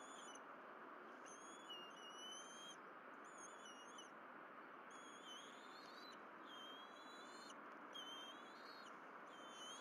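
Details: Berry College bald eagle nest, 12 April 2023, camera footage while fish are delivered and eaten: repeated high piping calls in clustered bursts with brief gaps, thin and whistled, over continuous hiss.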